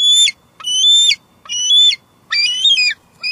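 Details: A wild female bald eagle squees loudly at her Two Harbors nest in July 2022, captured on a nest camera: four long, strident high notes of varying length, the last one wavering, followed by the start of another.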